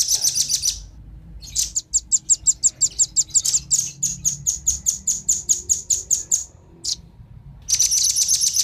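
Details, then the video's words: Velvet-fronted nuthatch, male and female, lure call for attracting wild birds: bursts of sharp, very high chit notes in fast regular runs of a dozen or more, with short pauses between series. "suara pikat burung rambatan jantan dan betina ampuh pikat burung liar"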